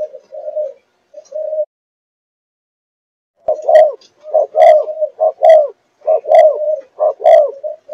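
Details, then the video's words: Four-month-old Malaysian-line spotted dove of the running-coo style: soft mid-pitched coos, then a quicker sequence of rhythmic, repeated cooing phrases with throaty pulses, about one per second, in a quiet setting. "Cu Gáy Malaysia Dòng Chiêu Gù Chạy 4 Tháng Tuổi"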